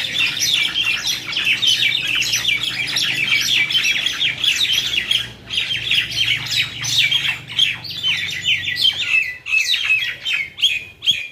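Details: Myna fight at Talepur, Keraniganj, Bangladesh: long, dense torrent of harsh squawks and chattering chirps from several birds, steady at first, then breaking into separated bursts near the end; low hum in the background.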